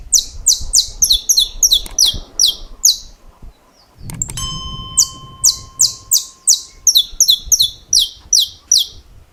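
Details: Champion estalos-style song of a saffron finch: rapid trains of crisp, high, downward-slurred snaps repeated about three per second, broken midway by a sharp click and a steady electronic-sounding tone before the snapping resumes.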